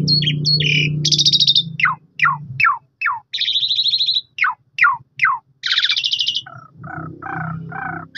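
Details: Lure song of the Asian pied starling for goading a silent bird to sing: chattering notes, a buzzy rattle, spaced downslurred whistles, another rattle and closing nasal harmonic bursts, with low hum early on.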